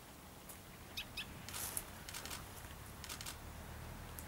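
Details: Shining sunbird at Ayn Razat, Oman, on 09/11/2012, giving thin, high chips and short sharp notes in irregular clusters over a low background rumble.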